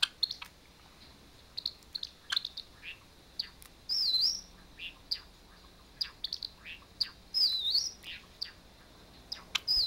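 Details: A pet Java sparrow reacting to a YouTube video of another Java sparrow singing, played on an iPhone: quick, sharp high chips in irregular bursts, answered by a few wavering, warbled whistles.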